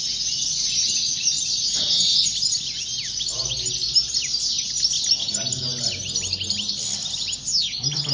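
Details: European goldfinches singing as a flock, rapid tinkling chatter with many quick down-slurred whistles layered over each other, faint low hum in the background.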